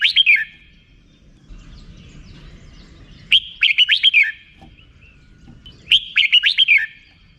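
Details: Red-whiskered bulbul repeating its 'rik' style song: three quick phrases of five or six bright, bouncing whistled notes, spaced roughly two and a half to three seconds apart.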